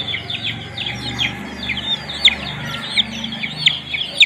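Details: Young pet chickens, new chicks cared for with heating, giving scattered high peeps that fall sharply in pitch, roughly two or three per second, over a low steady hum.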